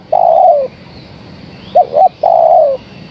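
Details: Female spotted dove calling to the male: a long falling coo, a pause, two short clipped coos, then another long sloping coo.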